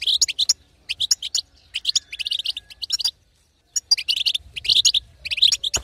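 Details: Twittering 'betbeta' of a female European goldfinch, meant to rouse a silent male to song: quick chattering clusters of sharp high notes, a clear silent break near the middle, then more bursts.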